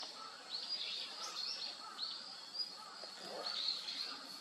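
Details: Daurian redstart (Phoenicurus auroreus), call.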